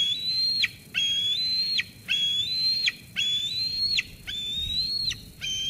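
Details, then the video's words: Eaglet at Sauces Canyon, 13 June 2021, squeeing at its mother after she brings food, until she leaves: long high whistled notes, each held level then dropping sharply at the end, repeated about once a second. "Sauces Canyon eagles; Dina squees Mom away"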